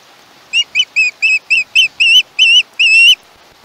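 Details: At a Chesapeake nest on 21 August 2019, a young osprey gives a run of about nine shrill whistled notes, which grow longer toward the end, over faint background hiss.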